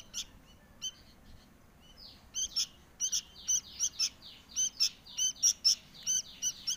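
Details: Sooty-headed bulbul nestling begging for food, its insistent high chirps speeding up into a rapid, regular series of short, downward-sweeping notes, several each second.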